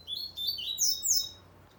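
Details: Rusty-collared seedeater giving short, high chirping phrases, rising and sliding warbles in quick succession over a faint low hum.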